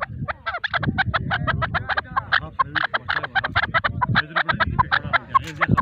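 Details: A male chukar partridge gives a fast, steady run of harsh, clucking chuck notes, about seven a second, over a low background rumble.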